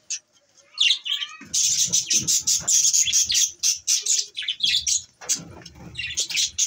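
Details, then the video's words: Morning budgerigar chirping: a few soft, high notes, then a steady run of loud, scratchy warbled chirps with brief, varied whistles. "good morning budgies Parrot 🦜🦜 Bueatiful Sounds morning"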